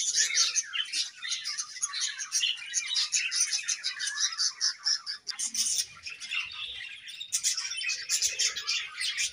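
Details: Group of budgerigars chirping during feeding, a thick layer of high twitters and squeaky notes from many birds, briefly thinning mid-clip and then rising again.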